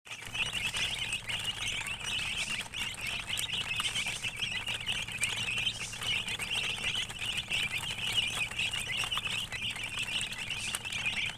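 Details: Domestic chicken chicks chirping together in a dense, steady chorus of high, thin peeps that overlap without pause, with a soft low background hum throughout.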